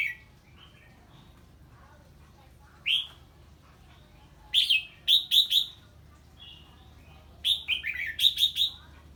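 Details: A red-whiskered bulbul, stirred by an unfamiliar bird's voice, sings lively phrases of sharp, chirpy whistled notes in quick groups of three to five, separated by short silences.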